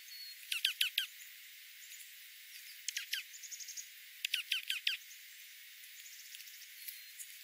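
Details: Dark-eyed juncos in winter oak woodland at 1000 feet in the foothills of the central Klamath Mountains, with golden-crowned sparrow and spotted towhee present; clusters of three to four thin, sharp high chips recur, over a hissy, low-cut background.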